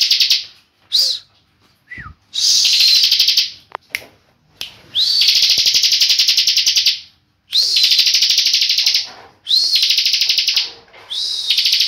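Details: Tame bar-winged prinia kept as a companion, singing continuously ('ngebren'): a run of loud, rapid pulsed trills, several starting with an upswept note, separated by short pauses and a few isolated chips.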